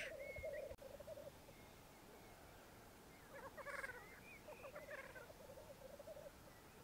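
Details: Morning lek of black grouse on a Mykland bog in May 2022, twelve males and two females: quieter pulsing bubbling, a sharp click near the start, scattered hiss fragments and thin whistles.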